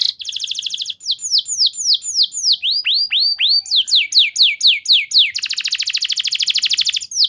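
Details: Canary lure song for training: a quick buzzy roll, a run of evenly spaced falling whistles, some deeper swooping notes, then a long dense rattling trill.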